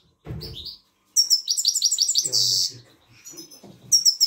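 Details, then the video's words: Grey-crowned goldfinch song used to motivate young birds: a low rustle, then a rapid string of bright, high twittering notes ending in a brief buzzy note, followed by quieter chirps and a renewed high twitter. "Песня щегла мотивация молодняка. The best goldfinch."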